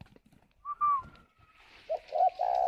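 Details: Caged spotted dove in Ba Vì, Hanoi, Vietnam, cooing while sitting on eggs: a brief clear whistled note, then lower hoarse coo notes building at the end, with soft background rustling.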